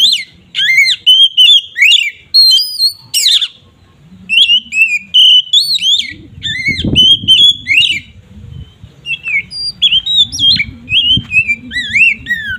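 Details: Oriental magpie-robin in 'ngeplong' provoking song, a long sequence of sharp whistled and slurred notes with brief pauses, a low rumbling background noise in the second half.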